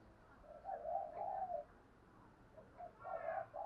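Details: Spotted dove cooing to provoke rival males, in the fast-calling style, two bursts of throaty, rolling coos separated by a short pause, with faint background noise.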